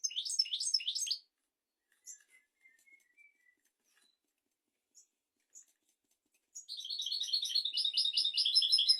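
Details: European goldfinch singing, used to teach goldfinches and canaries: quick twittering phrases at first, a quiet stretch with soft thin notes and scattered chips, then a loud fast trilling run at the end.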